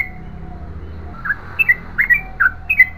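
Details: Yellow-vented bulbul, long continuous song of the gacor ropel panjang type: after a quiet start, a burst of sharp liquid whistled notes in quick clusters fills the last half.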